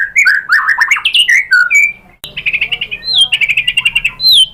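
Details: Murai batu, or white-rumped shama, in a lure song for provoking singing: rich fluty warbles and slurred whistles, a sudden click, then a fast trill of repeated whistled notes.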